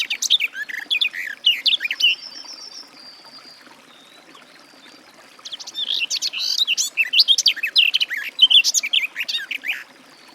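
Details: Garden warbler warbling briskly, broken by a thin high trill and a quiet stretch, then a long, energetic run of rapid, varied chirps and slurs.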